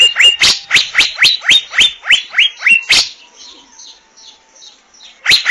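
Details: Asian fairy-bluebird (Irena puella): about three seconds of quick, punchy notes, each sliding up into a brief whistle, about four per second. A quieter stretch with faint background calls follows, then the series starts again.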